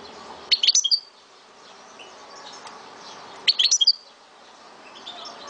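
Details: Captive goldfinch from Souk Ahras in Algeria delivering two short rattling bursts of high, sharp twitter notes about three seconds apart, with steady low room noise throughout.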